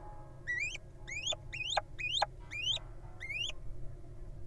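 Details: Wild little owl at a nest box holding nestlings: six sharp rising squeaks, each sweeping steeply upward with a bright overtone, given about every half second, over a low background rumble.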